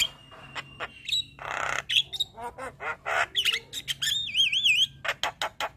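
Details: Javan myna, white-eyed type, singing energetically with abundant fills and nodding: harsh rasping bursts, clicks and buzzy notes, then a clear trilling, rippling whistle lasting about a second, followed by sharp ticks.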